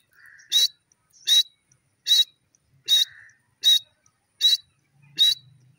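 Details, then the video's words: Female grey francolin kept by its owner, calling with loud, sharp, ringing notes with a whistled edge. Seven notes come at steady intervals of under a second, each led by a fainter soft note. "irani teeter ki awaz,the beautiful voice of my pheasant"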